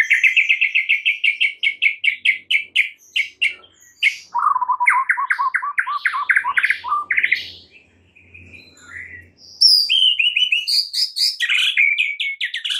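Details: A white-rumped shama's lure song for rousing a stressed bird into full song opens with a fast, even run of repeated chip notes. Mid-pitched warbled phrases follow, then high sharp notes after a quiet gap.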